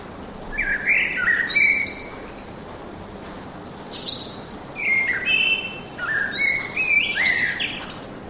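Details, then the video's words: Forest birds singing: whistled phrases with rising and falling notes, several bursts spread over the recording with short pauses between, plus sharp high chips. "Пение птиц в лесу"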